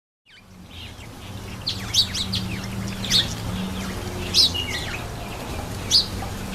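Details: Cape sparrow taking a bath, with sharp high chirps at roughly one-second intervals over a steady low hum, with softer chirping in between.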